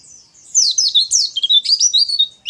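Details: A white-eye (pleci) in a fast, harsh "ngeriwik" chatter of high twittering notes and squeaky slurs, running without pause for about two seconds, used as a training audio for other white-eyes; nothing else is heard.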